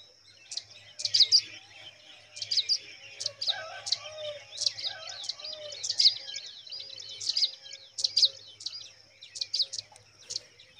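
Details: Pipit nestlings in the nest give thin, high chirps in quick clustered bursts, several per second, then pause before the next flurry. A steady high whine runs underneath, with faint lower murmurs in the background.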